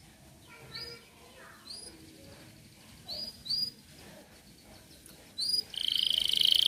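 A canary sings short, bright whistled notes, some rising, spaced a second or so apart, then breaks into a loud, rapid, buzzy trill.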